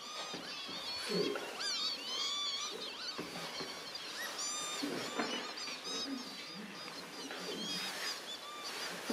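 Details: A flock of Northern Lapwings calls at WWT Slimbridge, Gloucestershire, while a Common Snipe feeds nearby: a dense, constant cacophony of overlapping slurred, wheezy whistles rising and falling in pitch.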